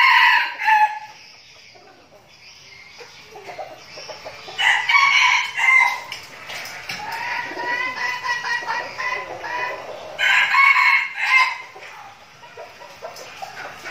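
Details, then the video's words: Captive red junglefowl decoy birds in Bình Phước province, Vietnam, training before going to the forest. Three loud, harsh, harmonic crows, each about a second long, spaced several seconds apart, with quieter clucking and rustling between them. "Bầy gà rừng mồi tập luyện chuẩn bị đi rừng giao lưu"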